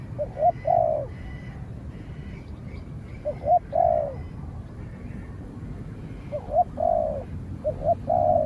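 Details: A training spotted dove faces a wild spotted dove that stays at a distance until it is driven off. There are four clear phrases, each of two quick rising notes and one longer sliding coo, about two seconds apart.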